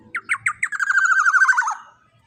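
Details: Juvenile black-naped oriole, big and loud, kept as a master recording for training birds; four evenly spaced raspy notes give way to a rapid, vibrating, slightly descending rattle.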